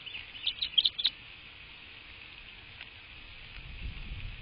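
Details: American bald eagle at the nest on a live camera, 22 March 2024 at 07:53; a short run of four or five sharp, high chittering notes in the first second, then quiet apart from low background rumble.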